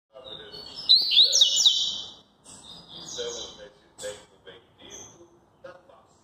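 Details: Double-collared seedeater singing the maresia song style: a loud burst of bright, slurred whistled notes sweeping up and down for about a second, followed by quieter scattered chirps and short notes. Faint low murmuring sounds underneath.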